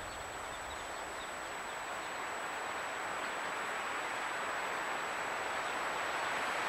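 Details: Steady broad rumbling noise, like a passing train or vehicle, swelling slightly over the seconds, with no animal voices.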